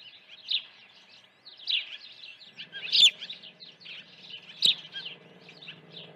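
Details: Osprey nest during a June 2019 morning feeding; a continuous soft twittering of high cheeps, with two louder sharp whistles and a faint low hum in the background.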